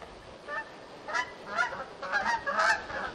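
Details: Canada geese visiting a cottage at Lac Goulet give a series of nasal, resonant honks, about five in three seconds at an uneven pace, over a soft steady background hiss.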